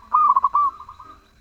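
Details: A single zebra dove phrase, melodious and lively: quick pulsing coos flowing into a sustained cooing note that fades away.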